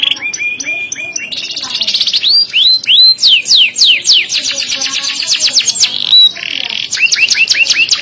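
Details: Loud, sharp canary song with ornate cengkok: repeated whistled upslurs, dense rattling trills and steeply sweeping notes alternating in quick succession throughout.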